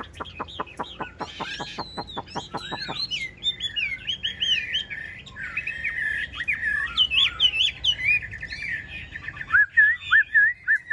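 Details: Partly tamed caged yellow-billed Chinese hwamei on a rainy day, starting with a steady series of sharp clicks, then a varied warbled song of whistles and trills, ending in evenly spaced rising and falling whistled notes.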